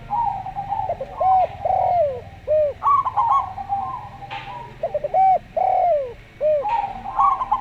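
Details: Zebra dove of local stock, slow voice, recorded with a calm Javan derkuku: stuttered, bubbling coo phrases and smooth arched coos trade back and forth almost without pause, over a faint low drone.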